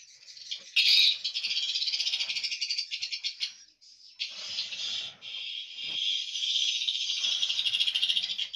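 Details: Inside a swiftlet house's nesting and hatching room, swiftlets keep up a steady, buzzing wall of high twitters, broken by a short lull near the middle, with faint low rustling underneath.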